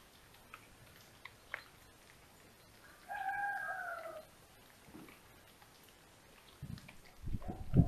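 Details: Ringed female little owl visiting a nest box in a house attic at Tiszalök, Hungary, near Hortobágy, early morning 6:37 AM, 28 November 2021: one drawn-out, mewing call falling slightly in pitch, then low thumps and rustling.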